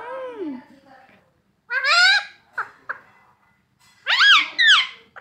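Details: Pet talking parrot saying words such as mummy and papa: high, sweeping nasal syllables in short bursts separated by pauses.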